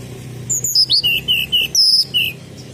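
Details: Sunda robin whistling as a lure: seven or eight pure, high notes in quick succession, a few upslurred, one long level whistle near the end, then a final lower note.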